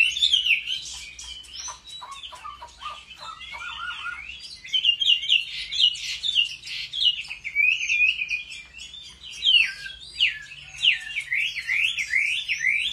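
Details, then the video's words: Chinese hwamei in competitive singing, trained at home with a wild-style voice: a varied, energetic song of swooping whistles, a brief set of lower descending notes, then loud zigzag trills repeated rapidly to the end. "Họa mi hót đấu cực hay"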